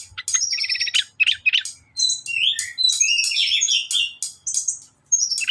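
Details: Sooty-headed bulbul in lively song. Quick varied chirps, short trills and slurred whistles follow one another in brisk phrases with brief pauses, against near silence.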